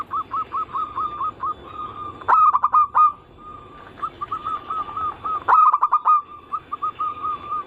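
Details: Zebra dove song, a lure meant to set local, Bangkok and crossbred zebra doves singing: steady strings of short bouncy coos, interrupted twice by fast rattling clicks and denser rolled notes.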